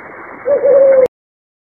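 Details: Brown fish owl call: a single low, steady hoot lasting about half a second, held at an even pitch and cut off abruptly, over faint background hiss.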